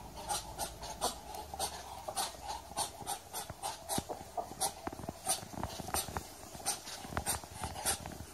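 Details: Muscovy duck delivering rhythmic, panting hisses, short airy bursts coming two or three per second and varying in loudness, with a low hum underneath.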